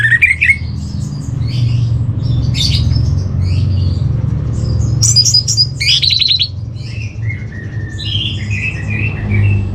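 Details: Orange-headed thrush song played as training material for caged birds: a long, varied stream of harsh scratchy bursts and squeaky chirps mixed with short whistled phrases, delivered rapidly over a constant low droning hum.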